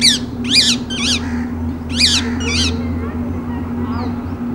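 Rose-ringed parakeet gives harsh, high screeching squawks in quick bursts of two or three, over a steady low mechanical hum.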